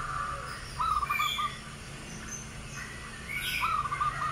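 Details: An albino sooty-headed bulbul with white plumage and red eyes gives two short, bubbly, mid-pitched phrases about three seconds apart, with faint higher chirps from other birds behind.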